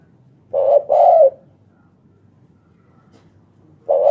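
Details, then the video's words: Spotted dove calling at night, a loud voice: two low, hoarse cooing notes in quick succession, the second longer, then a further coo begins near the end; otherwise quiet. "Tekukur sahabat malam....suara besar.."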